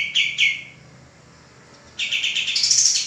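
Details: Male common iora, tutor for cage birds: two shrill notes, a second of quiet, then a dense burst of high chirping climbing at the end.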